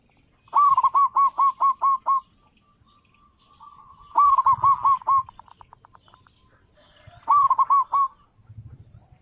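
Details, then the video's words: Loud-voiced local zebra dove used as a lure for trapping doves, giving three loud bursts of rapid, bubbling coo notes roughly every three seconds, each with four to seven notes, with soft low thumps between. "perkutut lokal suara besar cocok buat para pemikat burung perkutut"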